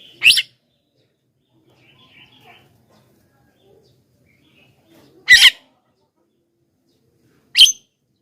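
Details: Javan myna call aimed at attracting wild mynas: three short, rasping bursts separated by long quiet gaps, with faint soft sounds in between.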